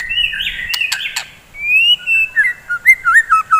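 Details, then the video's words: White-rumped shama morning song meant to excite fighting birds: a buzzy sustained note broken by sharp clicks, a long clear whistle, then a series of bouncing slurred whistles. "KICAUAN GACOR,, DI PAGI HARI,, MEMBANGKITKAN MURAI BATU GACOR FIGHTER"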